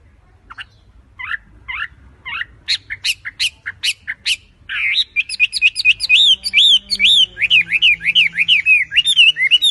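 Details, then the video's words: Vigorous song from a tame wambi bird. It opens with spaced, sharp, high chips, then shifts to a rapid, continuous string of rolling, wavering whistles with a faint low hum behind. "BURUNG WAMBI GACOR JINAK TOTAL"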